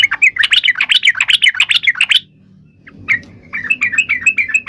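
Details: Yellow-vented bulbul fighting song, used as a lure to make other bulbuls answer at once: a fast run of bubbly chirps, about four per second, breaking off into a short pause before a quieter chattering phrase resumes.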